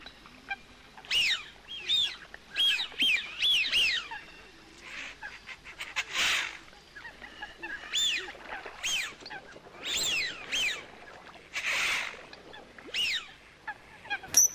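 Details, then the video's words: Coot calling in repeated nasal, arched honks, a rapid run of notes at the start, then spaced honks and soft rushing sounds. "Coot best voice call"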